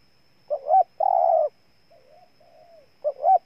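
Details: Loud phrases from a spotted dove in Ninh Thuận, Vietnam: two rising notes, then a long, even, buzzy coo. A softer, more distant coo phrase fills the gap before the next loud phrase begins.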